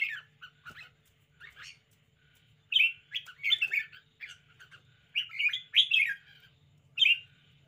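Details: Red-whiskered bulbul kept in a cage, showing off spirited behaviour with loud chattering warbles and whistled phrases in bursts separated by short silences, over a faint low background hum.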